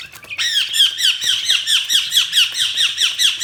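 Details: Budgies giving a fast, regular series of shrill, downward-swooping chirps at roughly two per second, forming a continuous chattering rhythm.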